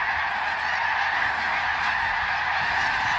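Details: A large flock of greater snow geese flying over Ottawa, Canada, on fall migration calls as a dense, overlapping chorus of nasal, barking honks that keeps up without a break.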